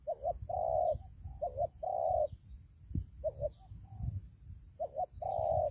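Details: Spotted dove used as ground bait in a fighting trap utters paired short coos and longer purring notes in an uneven rhythm, with soft thumps and a continuous shrill hum.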